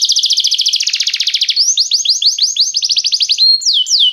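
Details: A restless canary singing: fast trilled tours of sweeping high notes, first a dense buzzy roll, then a run of falling slurred whistles, ending in two long descending sweeps.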